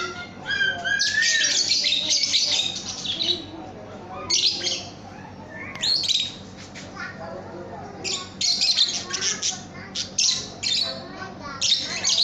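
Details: Lovebird chattering: loud, harsh, high squawking bursts in rapid clusters separated by short gaps, over a steady low background hum.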